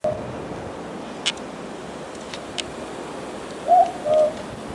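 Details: Southern boobook, known as mopoke: one two-note hoot late in the clip, a higher first note sliding into a lower, slightly longer second note, over steady hiss with faint clicks.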